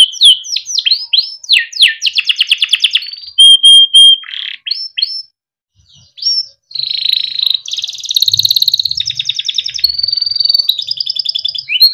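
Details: A Timbrado canary sings a varied training song: quick downslurred chips, a buzzy rolling trill, a pure whistle, a short pause, then long sustained trills and tours.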